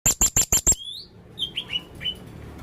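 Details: Male Blue-crowned hanging parrot in full, lively voice giving odd calls: five loud, piercing, very high shrill notes in quick succession, then a pause and several soft, thin whistled slurs.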